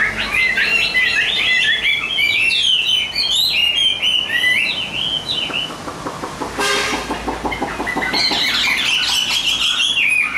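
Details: A caged hwamei sold as a good singer pours out fast, tumbling whistled phrases. A sharp broadband noise bursts in around the middle, then the bird resumes with bright, warbling notes.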